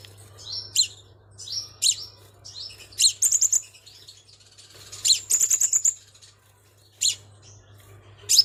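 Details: Vietnamese recording of a Crimson sunbird lure call: spaced sharp, high chirps roughly every second, interrupted by short rapid bursts of ticking notes; quiet steady hum beneath.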